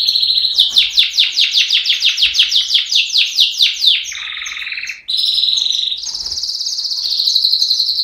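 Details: Singing canary: a rapid series of about fifteen downward-sweeping notes, then a lower rattling trill and a steady high buzzy roll to the end.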